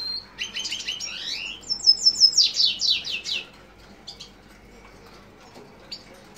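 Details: Lesser goldfinch of the jouji subspecies giving a burst of rapid slurred high notes, descending and rising sweeps in quick succession, then fading to a few scattered soft chips against quiet background.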